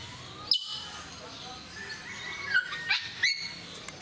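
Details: A captive African grey parrot at Mysore Zoo gives four brief, sharp whistled chirps in quick succession, bending up and down in pitch, over a soft background hum.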